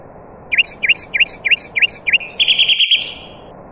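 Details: Singing nightingale, with other birds present: a run of six clear V-shaped whistles at a steady pace, then a rapid buzzy trill, a brief break and a final high drawn-out note.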